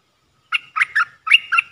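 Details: Red-eyed bulbul, a wild bird reacting to a caged decoy. Two gurgling phrases of three bubbly notes each are separated by a short pause, with clear and fairly loud delivery.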